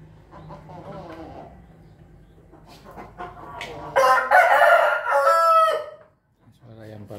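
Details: A laughing chicken (ayam ketawa), apparently while eating, gives a loud rippling cackle that runs for about two seconds.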